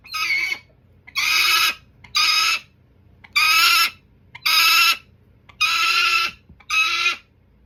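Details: A hooded peregrine falcon, a trained falconry bird, calls on and on. Seven harsh, rasping, nasal screeches come roughly once a second in an uneven series, with a quiet background.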